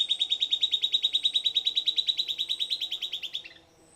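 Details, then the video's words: Song of a silvered antbird: a quick, evenly paced run of whistled notes that fades and slides downward in pitch before stopping. "Silvered Antbird Sclateria naevia Singing"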